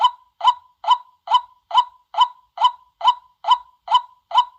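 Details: White-breasted waterhen calling in daytime, used as a decoy sound for luring: a clean series of short, harsh, honking notes repeated steadily about every 0.4 seconds, eleven in a row, with no other sounds.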